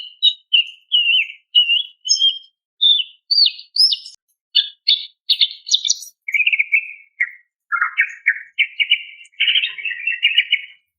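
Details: A female greater green leafbird calls for a male with quick, varied chirps and slurred whistles, then lower, buzzy, rasping notes running together in the second half. The recording is clean with no background sounds.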